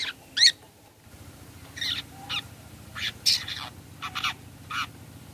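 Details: Long-tailed shrike call played as a lure to make other shrikes answer; harsh, buzzy, noisy notes in short bursts, some closely paired, about eight bursts in five seconds, over a faint steady low hum.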